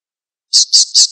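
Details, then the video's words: A falcon, in a training recording for cage birds, gives three harsh, high, rasping notes in quick succession, about five per second, after a moment of silence. "SUARA MASTERAN BURUNG ALAP-ALAP"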